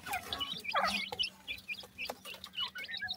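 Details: Several francolin chicks cheep in short, high, slightly wavering notes, one louder chirping cluster early on, over a faint steady hum.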